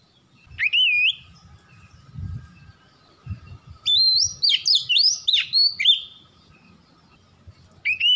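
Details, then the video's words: White-rumped shama lure recording meant to make birds sing: a clear whistled note near 0.7 s, then a rapid run of loud rising and falling whistled phrases from about 4 to 6 s, another short whistle at the end, with faint low rumbling underneath. "PANCINGAN KACER CEPAT GACOR"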